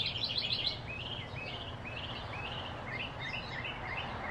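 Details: Arizona recording of a blue-throated flycatcher: a series of clear upslurred whistled notes, about two per second, after a brief burst of high twittering, over low background noise.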